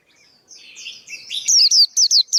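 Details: Male white-eye song, used for training young birds' singing and as a trapping lure: soft, thin twittering builds into five loud, sharp high-pitched chirp bursts near the end.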